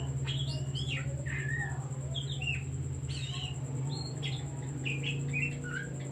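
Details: Oriental magpie-robin song used to provoke other birds: jumbled whistled phrases, downward slurs and quick chips in bursts, over a loud continuous low hum and a steady high electronic tone.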